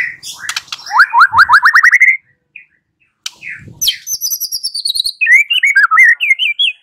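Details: White-rumped shama song played as a lure to prompt a bird to reply and sing: a fast series of rising whistled notes, a short pause, then descending high whistles and looping warbled phrases.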